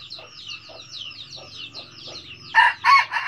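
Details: Red junglefowl crowing in the cà lắm style: a short, harsh crow in two loud bursts near the end, after steady high chirring and faint ticking bird calls.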